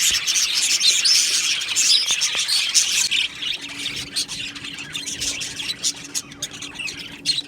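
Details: Budgerigars, a colony of Australian budgie parakeets in an aviary, chirping and squawking together in a dense overlapping chatter of high, scratchy notes, busiest in the first three seconds, then thinner with scattered sharp chirps.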